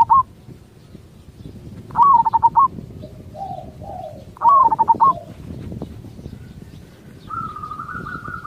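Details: Local zebra dove singing to get other doves to respond, with repeated short trilled coo bursts about every two and a half seconds, soft lower coos between, and a level drawn-out note at the end.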